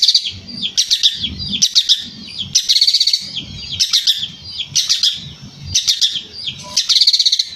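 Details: Long-tailed shrike in energetic song: repeated bursts of harsh, scratchy chatter mixed with squeaky twittering phrases, roughly one burst per second; low thumping sounds between phrases.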